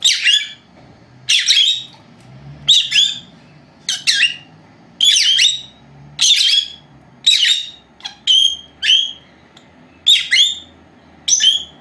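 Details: Two four-month-old female lovebirds kept as pets, calling indoors during their nap time, caught on an old camera left recording alone; sharp, shrill chirps with downward-bending tails, about eleven spaced through the stretch, with a faint low hum beneath.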